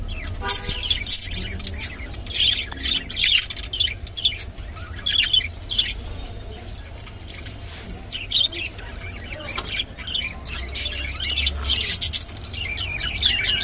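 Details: Rainbow budgerigar chattering in scattered scratchy chirps and squeaky warbles, loose bursts separated by short quiet gaps, over a low background hum.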